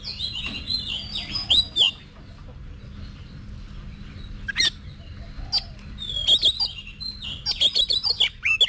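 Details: Caged Oriental magpie-robin practising competition song: a burst of warbled whistles, a quiet stretch, then a fast run of clicks and bright twisting notes near the end, with low electrical hum throughout.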